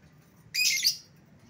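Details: Lovebird lure call, used to call back an escaped bird: one harsh, high-pitched squawk lasting about half a second, then quiet.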